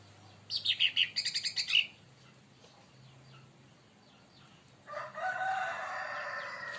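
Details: Leafbird (cucak ranting, cica daun) singing lively when provoked by another bird, giving a fast run of sharp, high repeated chirps for about a second, then a pause, followed by a fuller, harsher warbling phrase.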